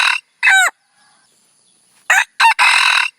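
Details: Red junglefowl crowing, a recording played as a decoy to lure wild junglefowl: a sharp harmonic call, a second of quiet, then a broken, rasping crow phrase ending in a longer harsh burst.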